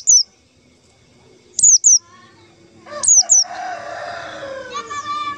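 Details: Lure call of a white-eye, played to draw in wild white-eyes for trapping: high, thin downslurred notes in pairs, then a busy mix of other bird chatter and warbling.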